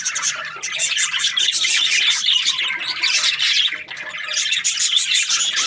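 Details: Chattering budgerigar breeding pairs, a busy blend of warbled chirps, grating squawks and quick clicks, loudest in the middle with a short lull before the racket picks up again.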